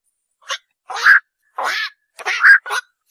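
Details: Black-crowned night heron giving five short, harsh, hoarse squawks in under three seconds, some brief and clipped and others longer and raspier, separated by silent gaps.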